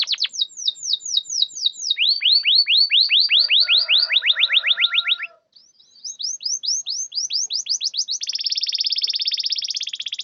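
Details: Lure song of a canary meant to set off quiet or stuck canaries: rows of fast descending whistled sweeps, a short pause, another sweep series, then a dense high buzzing trill.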